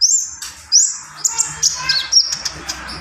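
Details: Javan pied starling in full isian song: sharp rising high whistles open, then a rapid string of squeaky, chattering notes and clipped chirps run on without pause.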